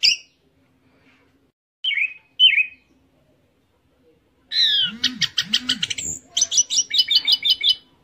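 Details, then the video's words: Orange-headed thrush giving a few isolated high chirps after a pause, then a dense burst of rapid trilled and chattering notes with repeated high sharp elements. "Anis Merah Teler"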